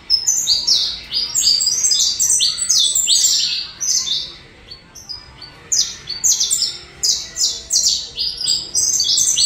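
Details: Saffron finch of the Colombian line singing: rapid bursts of bright, high chirping notes in tight clusters, a short pause near the fourth second, then another dense run of sharp tweets to the end.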